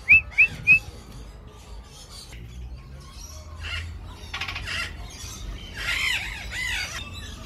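Golden-collared macaw: three loud, quick, shrill screeches open the clip, followed by fainter harsh, raspy squawks.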